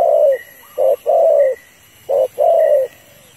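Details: Female spotted dove calling a male, as used to lure birds: short and long mellow coos in pairs, the long ones gently falling, with a faint thin high note repeating behind.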